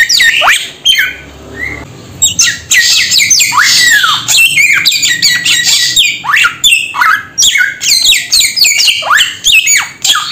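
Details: Samyong bird calling in a long, busy run of harsh, bright squawks, many bending down in pitch, crowded close together after a brief quieter pause near the start.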